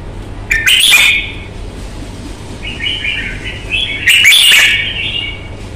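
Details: Red-whiskered bulbul, Vietnam, prized for its fighting nature and fine voice: a loud warbled burst, a run of softer quick whistled notes, then another strong rich phrase, with some rustling noise.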